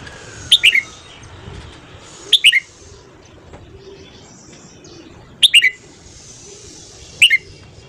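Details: Red-whiskered bulbul singing at morning for voice training: four short, punchy phrases of two or three descending whistled notes, evenly spaced about every two seconds, with a faint hiss underneath.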